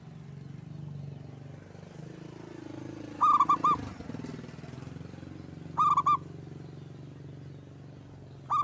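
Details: A lone local Indonesian zebra dove sings short rolling three-note coo phrases at intervals of about two and a half seconds. A low engine or traffic rumble fills the background, and the last phrase is cut off.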